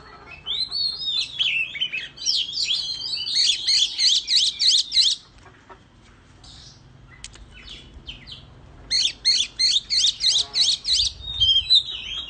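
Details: Oriental magpie-robin singing competitively with a fanned-tail display in the countryside: two bursts of rapid, repeated high chattering whistles, about three per second, separated by a quieter pause with faint scattered notes.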